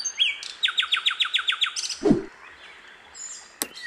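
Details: Hill blue flycatcher (sikatan londo) heard in the wild. A high whistle is followed by a quick string of sharp downslurred chips. A dull thud, then a sharp click, breaks the phrase, and faint high twitters continue.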